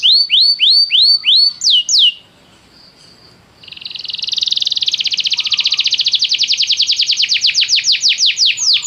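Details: Canary training song meant to encourage a canary to sing immediately: a series of rising, curling whistles, a brief hush, then a long rapid trill of repeated notes.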